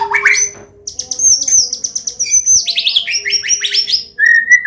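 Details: Medan-type white-rumped shama in a combination song used to draw young birds into singing: a fast, dense cascade of high, sweeping whistled notes, ending in a sustained clear whistle.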